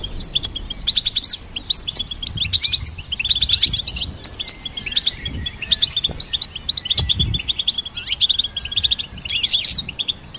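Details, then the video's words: ['Long goldfinch song bout, hybrid birds used as training song for songbirds: dense twittering chirps and liquid trills, pouring out almost without pause, with a few short breaks.'] "Goldfinch Symphony"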